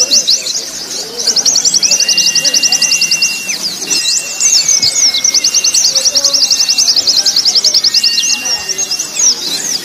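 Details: Crowded white-eye chorus compiled as a master for contest birds: two long, fast, high-pitched trills separated by a tumble of chirps, with drawn-out gliding whistles lower down.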